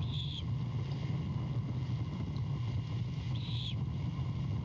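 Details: Great horned owlet begging at midnight, Savannah nest cam, 23 February 2022, as its mother returns with a rat; two short hoarse screeches about three seconds apart, deep rumbling noise behind.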